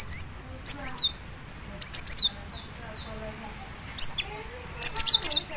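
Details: Cinereous tit, called gelatik batu, sings in spaced bursts of high, sharp chirps mixed with thin descending whistles, repeated about every second or two over a quiet low hum.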